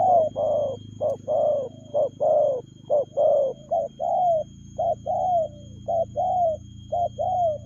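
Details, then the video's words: Rapid spotted dove 'lèo gù' cooing. Many short coos alternate with longer downward-sliding notes in a hurried, slightly uneven rhythm, over a steady low droning background. "Nết chơi nhanh lẹ, gù tốc độ.Clip445/ Nước chơi lèo gù."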